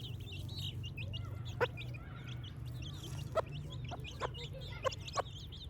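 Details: Playing baby chicks give a continuous stream of thin, high peeps, some sharply rising, interrupted by several sharp tapping clicks and a low background hum.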